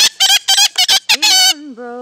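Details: A five-year-old pet Yellow-collared Macaw joins in as its owner sings a hymn, giving about six rapid, raspy screeches in quick succession before her long held note carries on alone.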